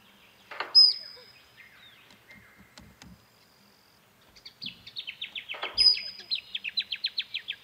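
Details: Musk Duck (Biziura lobata) mating display at Tidbinbilla Nature Reserve, Australia: two sharp splashing plonks, each followed by a thin high whistle, with a rapid series of chirping notes through the second half.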